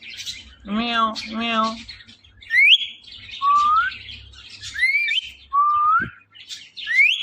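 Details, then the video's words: Ring-necked parrot said to be talking: two low, voice-like harmonic phrases, then four clear whistled notes, each sliding upward, separated by short pauses, with a soft thump near the end. "Ring Neck Talking Parrot |بولنے والے پیرٹ"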